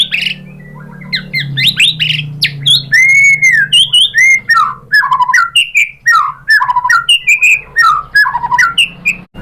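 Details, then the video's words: Song of the murai batu, the white-rumped shama, as a lure to provoke singing: chattering notes, a long arched whistle, then many rapid varied whistled phrases and repeated slurred notes. "MURAI BATU jadi NYAUT GACOR BONGKAR MATERI ¦ PANCINGAN MURAI ¦ SHAMA BIRD"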